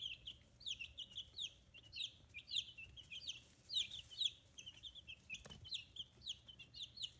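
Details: Chicks fifteen days old, raised free-range in Kitahiroshima, Hiroshima Prefecture, Japan; loud high peeps dropping in pitch, several per second from multiple birds, with a single knock near the end.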